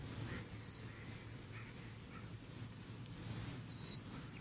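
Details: A black bird eating breakfast at close range gives two loud peeps about three seconds apart. Each is a bright, piercing whistle that slurs down and then holds steady. Low background hum and quiet gaps fill the time between them.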